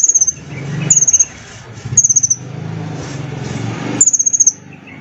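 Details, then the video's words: Glossy small sunbird used to coax other caged birds into singing: four brief, thin, high-pitched rattling trills, each a fast string of sharp notes dropping slightly in pitch, separated by pauses, with a low hum beneath. "KOLIBRI GACOR // PANCINGAN MASTERAN TERBARU SANGAT AMPUH & EFEKTIF"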